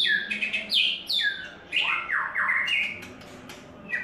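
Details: White-rumped shama in its third molt singing a rich run of whistled phrases, with sliding notes falling and rising between mid and high pitch and short sharp accents, in a quiet indoor setting.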